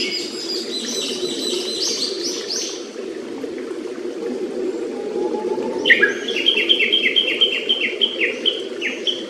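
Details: Japanese paradise flycatcher in a quiet forest near its nest, beside a clear stream: a thin burst of high notes, then a series of short downslurred whistles repeated rapidly, with a steady rush of flowing water throughout.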